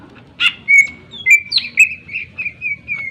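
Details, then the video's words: Greater green leafbird singing energetically, used to provoke other birds into song: a burst of harsh notes, then a string of clear whistled phrases, steady and slightly wavering, repeated several times in quick succession. "cucak ijo gacor full suara tajam cocok untuk pancingan agar burung gacor dan emosi"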